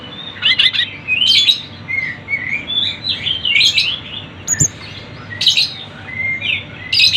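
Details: Busy Sunda bush warbler song for attracting birds: strong sharp note bursts roughly every second, separated by quick rising and falling whistled chirps, a single click midway.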